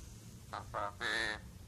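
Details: Javan pied starling native to Java, trained to talk in Javanese, giving three short harsh nasal syllables rising into a longer buzzy note, with low room hum behind.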